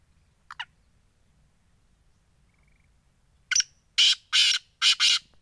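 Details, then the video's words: Black francolin (titar sultan) giving its call. A faint chirp, then silence, then a short sharp note and three loud grating, buzzy notes in quick succession, the final one doubled, over a low steady outdoor hum. "titar sultan voice"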